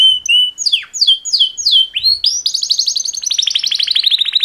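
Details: Male canaries singing in courtship: a few looping whistled notes that sweep down and up, then a rising burst leading into a long, fast, buzzy trill that carries to the end.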